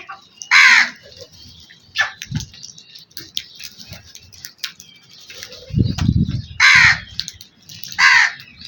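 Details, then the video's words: Black crow calling with harsh, rasping caws, three strong ones spread through the clip, plus a low thump and faint chatter from other birds. "Wonderful Black Crow Sounds"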